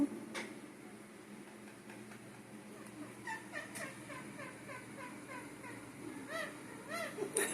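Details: A pet female rose-ringed (Indian ringneck) parakeet, being petted and cuddled indoors, mimics her owner's imitated jungle sounds: soft, quick rising-and-falling chirps in short runs, a few each second, with quiet room sound.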